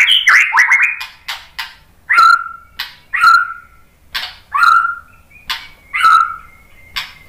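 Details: Song of a white-rumped shama, used to draw other birds into singing: a run of rapid twittering notes, then ringing whistled phrases that fall slightly and repeat roughly every second.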